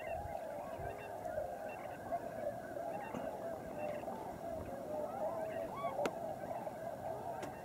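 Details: Tundra Swans wintering in big numbers at Lower Klamath National Wildlife Refuge, heard as an unbroken crowd of overlapping woodwind-like hoots and honks, a few louder looping calls rising out of the chorus.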